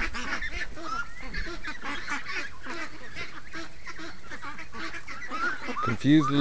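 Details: Many free-range ducks calling on a morning, steady busy quacking and honking throughout, ending with a louder, lower-pitched honk close by.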